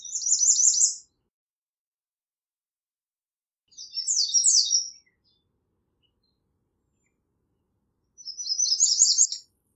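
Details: American redstart song: three high, thin, rapidly repeated phrases of sharp up-and-down notes, each about a second long and spaced roughly four seconds apart, the phrase endings varying slightly, over silence.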